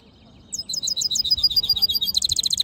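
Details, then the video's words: Black-hooded yellow hooded siskin mule singing: after a quiet half-second, a fast run of high, sharp chirps breaks into rapid repeated twittering notes that quicken into a dense trill toward the end. "Black HOODED yellow siskin mule | Cabecita negra CD | Carduelis singing"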